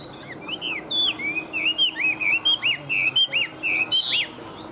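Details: Caged Chinese hwamei, an old wild-caught bird kept as a fighting songbird, sings a loud run of clear whistled notes, many sliding up or down and repeated rapidly, with a few sharper high accents near the end.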